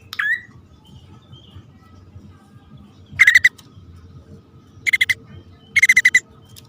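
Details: Bar-winged prinia calls from a male and female pair, a lure recording: one sharp swooping note, then three separate bursts of fast harsh buzzy pulses spaced a second or more apart, with quiet hum between.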